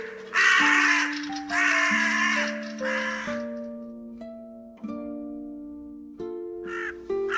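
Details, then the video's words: Three long, harsh crow caws come close together at the start, then two brief clipped caws near the end. Gentle background music with held tones continues beneath the calls. "справжні звуки ворони"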